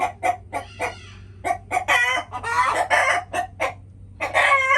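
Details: Chickens making noises: spaced single clucks at first, then a cluster of longer, rough squawking calls, more single clucks, and a final drawn-out squawk; low hum in the background.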